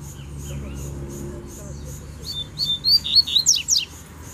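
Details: A wild double-collared seedeater answers a territorial challenge with a fast run of bright, slurred high whistles and chirps in the final two seconds, after a stretch of steady pulsing background buzz.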